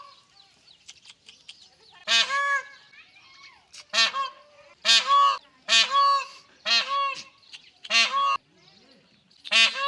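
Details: A peahen (Indian peafowl) searching for a peacock gives loud, nasal honking calls, about seven in a row at roughly one per second, with short quiet gaps between.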